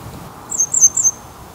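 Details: Grey wagtail in the Salinas y Arenales de San Pedro del Pinatar regional park, Murcia, Spain, on a camcorder: five thin, very high clipped notes in quick succession, slightly uneven in rhythm, over quiet low background noise.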